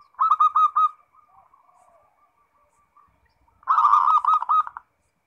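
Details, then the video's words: Kept zebra dove, or perkutut, singing in the lively ngerot style used as a lure to get other doves to answer: two bursts of quick, pulsed cooing notes separated by a soft, low trailing murmur. "Suara Perkutut NGEROT Bikin Birahi & Emosi"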